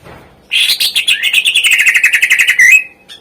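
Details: Greater green leafbird song, a tutor song used to prompt lazy birds to sing: a fast chattering run of rapid repeated notes that slide gently downward for over two seconds, ending in a sharp upslurred note.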